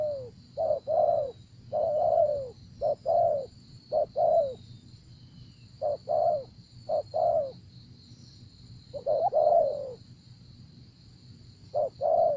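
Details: ['Spotted dove cooing during decoy trapping in Vietnam: low, soft two- and three-note coo phrases, each note slightly falling, in irregular bursts separated by pauses, over a steady high-pitched hum and faint low rumble.']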